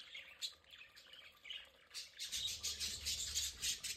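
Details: Pet budgerigars in their play area giving a busy stream of high chirps and warbling chatter, quiet at first and then louder and denser in the second half, with rapid overlapping notes.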